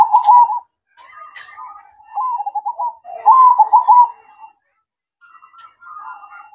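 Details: Night-time manggung song of a zebra dove: a series of soft, quavering trilled coos in short phrases, then a pause and a quieter closing phrase.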